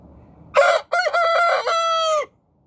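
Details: Domestic rooster giving its morning crow: one clipped opening syllable followed by a drawn-out, hoarse multi-part call held on a level pitch and ending with a brief downward slide, about 1.7 seconds long.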